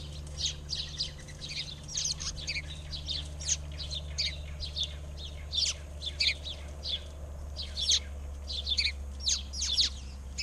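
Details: Several backyard birds singing in Arizona, a dense chorus of high, sharp chirps and short twittering phrases overlapping one after another, over a steady low hum.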